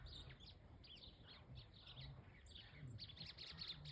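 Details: Dawn song of a White-throated seedeater: busy high twittering and chirped notes, with a denser, faster burst near the end over a low background hum.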